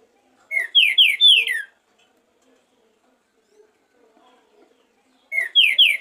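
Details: Green-winged saltator giving warm-up song, 'esquenta', from a 2023 professional rehearsal recording: two bursts of loud, clear whistled notes, each a quick run of three or four slurred, downward-sliding phrases, separated by about four seconds of near silence.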